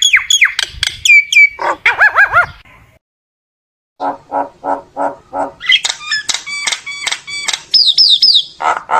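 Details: Common myna singing to call its flock: chattering whistles and wavering notes, a short silence, then a regular run of lower croaking notes leading into high, ringing whistled phrases.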